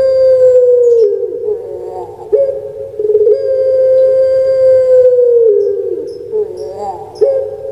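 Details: Kept puter pelung dove, a long-voiced cooing type, gives low sustained coos that stretch for seconds, each starting with a short hitch and sliding down at the end, with a brief pause between phrases.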